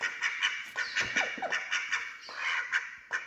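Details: A pair of ducks, male and female, feeding together give nasal, slightly drawn-out quacks in steady overlapping series, with some pecking and rustling underneath.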